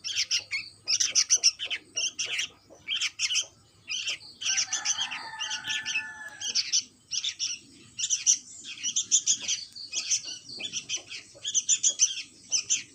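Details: Chick of a sooty-headed bulbul giving insistent rasping chirps in fast series, pausing every few seconds. A softer, lower, drawn-out tonal sound overlaps midway through.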